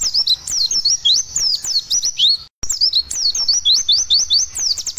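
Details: White-eye lure song in the fast rolling 'tembak nyepeed' style, meant to prompt a pet bird to sing while it is aired after sunning; rapid, high, sweeping twittered notes in an unbroken stream, with one brief silent break midway.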